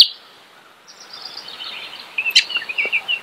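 House wren song: a rapid, bubbly, high-pitched jumble of chattering trills that builds in strength over about two seconds, with faint background hiss.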